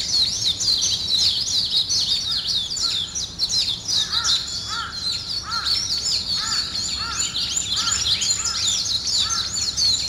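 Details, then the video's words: Dawn birdsong: dense high twittering throughout, with a lower hooked whistle repeated about every second through the middle and later part. "아침을 깨우는 새소리 2 ,Birds wake up in the morning 2"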